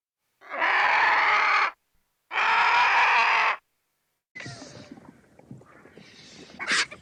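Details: Two drawn-out, grating vulture squawks of over a second each, followed by quieter mixed rustling and scratchy sounds with a brief sharp noise near the end.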